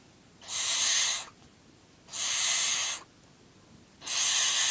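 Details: Feeding barn owl of nine weeks repeats harsh, airy screeches about every two seconds, three in a row, each lasting just under a second.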